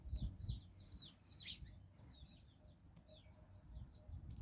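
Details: Nine chicken chicks with their hen roaming in Bizkaia, Basque Country; sparse, soft high peeps slurring downward, a few per second, over low background noise.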